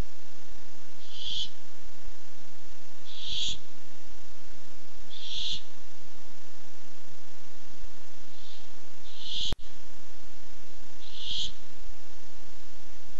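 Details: Harsh breathy hisses from a barn owl that comes by looking for food, recorded 8-7-15 on a nest cam; six rasping bursts roughly every two seconds, with one sharp click partway through.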